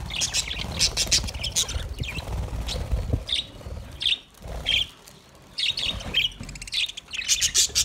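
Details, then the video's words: High chirps and warbled squeaks from budgerigar parrots come in separate bursts with brief quiet gaps, over steady low background hum. "Budgies parrot awaz"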